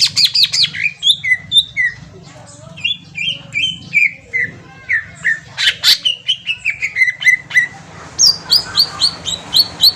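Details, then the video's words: Lure for a green leafbird to respond: a varied, rapid string of whistled and slurred notes with mimic-like phrases, a descending run of repeated notes, then a fast high trill of repeated whistles, with faint low hum. "pancingan cucak ijo auto nyaut bunyi langsung"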